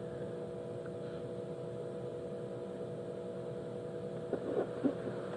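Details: A sunset safari drive, with a steady vehicle engine droning and humming throughout and a few brief louder knocks near the end, but no animal calls.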